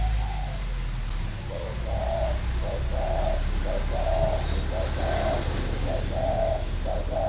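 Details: Spotted dove decoy bird calling: low hooting coos repeated in quick two-part phrases, a short note then a longer one, over steady low background hum.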